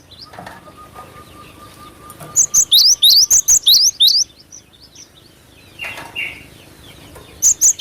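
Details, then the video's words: Cinereous tit singing in full voice: a rapid series of about nine loud, sharp, upslurred high whistles with ringing tops, then soft background chirps and a brief scratchy call, ending with two more piercing notes. "Pancingan Suara asli burung glatik batu gacor"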